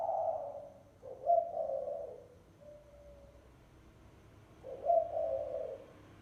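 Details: Low cooing of a spotted dove used as a lure call, phrases with a sharp bright start and a breathy drawn-out tail, about three and a half seconds apart, with a quiet thin coo between.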